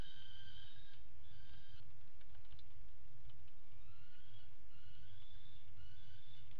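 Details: Peregrine falcon pair at a nest box on the Axel water tower, Netherlands, 5 February 2018, mating on the ledge: drawn-out harmonic calls repeated in short bursts over a steady low rumble.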